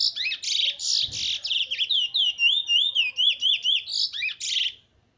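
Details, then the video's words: Trinidad black bullfinch of good bloodline, 15/03/2020, opens with harsh buzzy bursts, then delivers a rapid run of sweet looping whistles repeated about four per second, ending in another buzzy burst. "Trini bullfinch black bird good bloodline bird"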